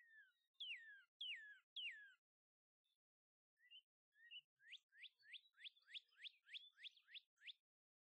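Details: Northern cardinal song from a male and female pair at a feeder: three loud downslurred whistles, a pause with a few soft notes, then a fast series of about ten sharp rising chips. The background is silent.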